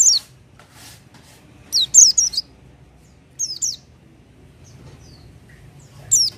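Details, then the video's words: Oriental white-eye (pleci), singing without doping, delivers bursts of rapid, high, twittering descending notes, a cluster near two seconds and another past three, then a single chirp at the end. "pleci buka paruh tanpa doping gacor dor"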